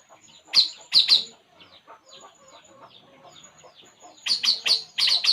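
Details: Puling bird while relaxing: a few piercing high chirps early on, a murmur of soft background chatter, then a fast run of five or six sharp chirps at the end.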